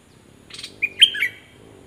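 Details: A caged decoy Cream-vented bulbul, recorded 11 July 2021, gives a soft rustling burst, then a liquid, slurred phrase of rising and falling notes lasting under a second.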